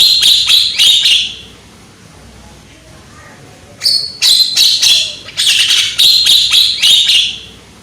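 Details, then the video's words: Javan myna, a young bird with a strong voice, used to lure mynas into song: a burst of grating notes, a quiet gap of over two seconds, then a longer run of harsh, rapid, squeaky phrases. "PANCINGAN BURUNG JALAK KEBO AGAR GACOR !!! JALAK KEBO MUDA SUARA KERAS !!"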